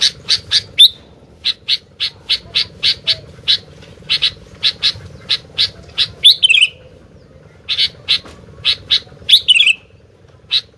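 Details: Sooty-headed bulbul singing restlessly. Long trains of crisp, high chips fall roughly twice per second. Three fuller, warbled phrases slide downward, and a low electrical-sounding hum persists throughout.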